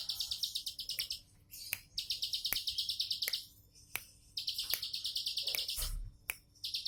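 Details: High, rapid chattering phrases from a bar-winged prinia, 'tembakan' style delivered in relaxed form: four short bursts of buzzy pulsed notes with silent breaks, plus sharp percussive clicks.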